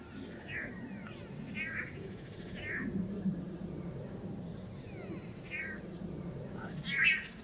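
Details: Nasal, buzzy notes from Long-tailed Manakins in Costa Rica, where several pairs of males display on a lek before a female; notes repeat about once a second over a steady low hum with faint high whistles from other birds.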